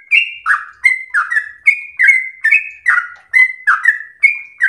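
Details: Sooty-headed bulbul kept at home, singing 'gacor ropel slow' for use as a master recording. Clear whistled phrases pair a level note with a dropping slur and repeat about twice a second. The recording is quiet behind the bird.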